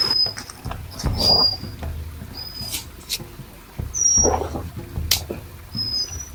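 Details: A ground-dwelling forktail, locally called cincowang, at night by a forest riverbank in West Java gives thin, very high, level whistles under half a second, every second or two, over camp thumps, rustling and low rumble.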